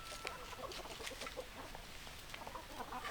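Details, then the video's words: Several chickens cluck together in a rapid, uneven patter of short notes, with a brief higher tone near the start and faint hiss behind. "Chicken Sounds Noises Hens Clucking Roosters Crowing"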